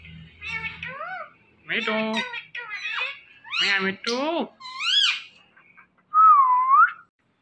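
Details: Talking ringneck parrot repeating speech-like syllables in rapid, hoarse bursts with gaps between them. It ends in a clear, wavering whistle that dips and rises.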